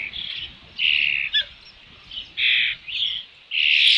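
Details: At a nest with a fish, Dunrovin Ranch, early June 2018, about 5 PM, an Osprey gives several sharp, squealing cries about half a second long, spaced irregularly, over a quiet background.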